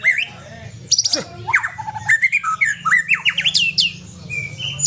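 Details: Aceh white-rumped shama in varied song: sharp trills, a run of quick rising whistled slurs and longer clear notes, all over a constant low hum.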